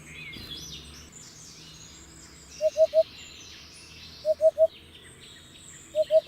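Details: Low, hollow hooting of a hoopoe in short triplets, two full bursts and a final partial one, spaced well apart, above a light chorus of high chirping birds.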